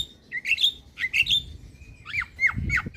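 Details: Starling, a jalak kept as a lure bird, sings in short bursts of whistled, rising and falling notes with squawky edges, several phrases spread over three seconds with low background rumble.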